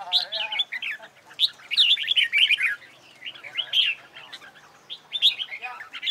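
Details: Red-whiskered bulbul competition song for training singing birds: short, sharp whistled phrases in clusters, rising and falling, with brief gaps between bursts.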